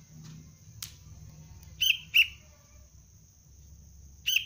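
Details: Juvenile sooty-headed bulbul, trained as a trapping lure, utters a quick pair of sharp chirps followed later by a single one, plus a soft click earlier; a steady shrill tone runs throughout.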